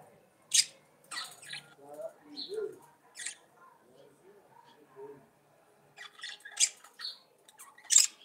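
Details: Budgerigars singing: scratchy broadband chirps and clicks burst out at intervals, with soft low warbling murmurs in between and short quiet gaps.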